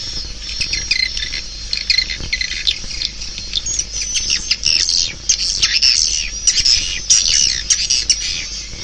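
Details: Swiftlets chirping and twittering in high, uneven bursts from many birds, with thin whistled notes and a brief knock early on.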